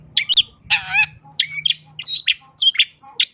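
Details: Long-tailed shrike singing a fill-rich song: sharp chirps, a long grating harsh burst, then varied whistled and twangy notes in quick succession, over a faint steady low hum.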